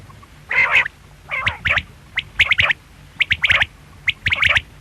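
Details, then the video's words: Quail calling busily: a harsh, buzzy burst opens, then a series of sharp high clipped notes in pairs and triplets, closely packed, over a faint low hum. "Quail sound|Batair ki awaz|bedana ovozi|бөдөнө үнү|перепелиный звук|بٹیر کی آواز"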